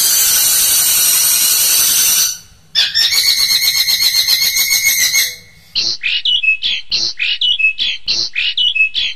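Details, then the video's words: Long-tailed shrike singing varied material for training caged birds: a loud harsh hissing burst, then a rapid stuttering rattle, then a series of clear slurred whistled notes repeated about once a second. "burung cendet gacor | suara variasi masteran dan pancingan"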